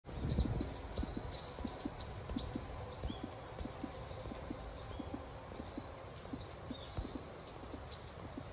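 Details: Common kingfisher at Zenpukuji Park, filmed on a smartphone with a telephoto lens: thin, high, shrill whistles, many falling sharply, repeated every half second or so over a steady run of low clicking taps.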